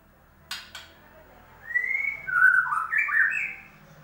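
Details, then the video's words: White-rumped shama singing, offered as a lure to start a silent bird singing: two sharp clicks, then a rising whistled slur followed by a run of warbled, looping whistled notes. "pancingan burung murai batu macet bunyi"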